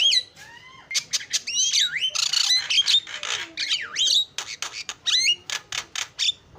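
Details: Starling performing a lure song: whistled swoops and downslurs mixed with harsh buzzy notes and rapid clicks in a continuous varied stream.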